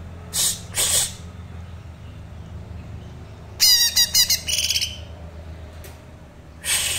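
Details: A young Green leafbird with thin spotting, learning its song, gives short, sharp bursts of high, rattling notes and a quick string of twittering, buzzy phrases, spaced by pauses over a steady low hum.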